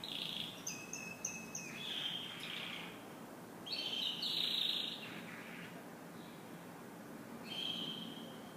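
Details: Morning canary song in bursts of rapid high trills and whistled notes, with short buzzy flourishes, separated by pauses of a second or more, over steady low background noise.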